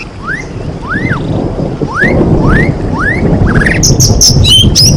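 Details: Provocation song of a white-rumped shama: five clear upslurred whistles spaced about half a second apart, then a quick burst of high buzzy notes, over a steady low rumble of background noise.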